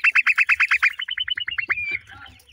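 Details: Black francolin chicks give a fast string of bright descending chirps that speed up and shorten, then end in one drawn-out thin whistle, with soft low thumps underneath.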